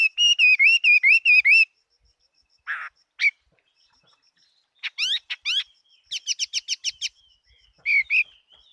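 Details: Fighting Chinese hwamei recorded in 2018 opens with a rapid string of eight identical wavering whistles, then scattered notes, steep rising slurs, and a fast repeated series of sharp upward sweeps.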